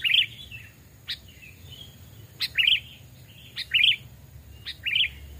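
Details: Sooty-headed bulbul, a caged bird two or three years old raised from a chick, tested for voice in a forest: a sharp note followed by a bubbly warbled phrase, repeated about every second or so, with faint softer notes between.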